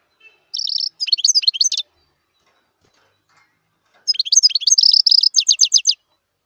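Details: Wild European goldfinch in song, two twittering phrases a couple of seconds apart, each a quick jumble of high tinkling notes leading into a fast, even series of sharp chirps. The background is quiet.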